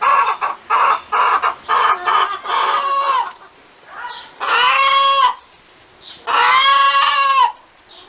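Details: Farm hen cackling: a rapid run of choppy clucks for about three seconds, then two long, loud, ringing squawk notes, each about a second long and slightly arched in pitch, separated by quiet pauses.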